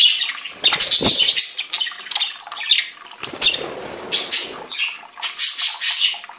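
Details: Mixed budgerigars warble at close range: dense, rasping chatter packed with sharp chirps and squeals. It runs almost without pause, with one brief softer stretch partway through.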